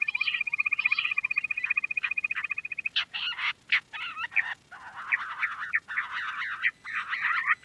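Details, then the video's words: Lohari or quail: a fast, even train of high pulsed notes for about three seconds, then harsh broken bursts of grating, scratchy sound in irregular clusters. "Queen quail sound || Lohari ka Awaaj"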